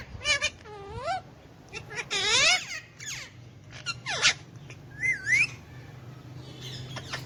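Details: Hand-tame pet Alexandrine parakeet, kept with ringneck parakeets, talking in Urdu/Hindi: a run of harmonic, speech-like syllables with rising and falling inflections, sharp squeaky bursts and a short upward whistle, over a steady low indoor hum.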